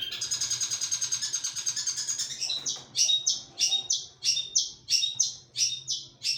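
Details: Long-tailed shrike: a rapid buzzy chatter runs for about two seconds, then gives way to sharp, high, clipped notes repeated a little over once a second, with a faint low hum behind.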